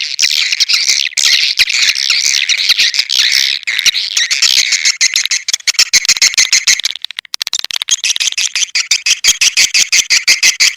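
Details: Borneo swiftlet lure call meant to attract the birds: a steady dense twittering chorus, then sharp rapid clicks ticking in a quick regular series in the last few seconds.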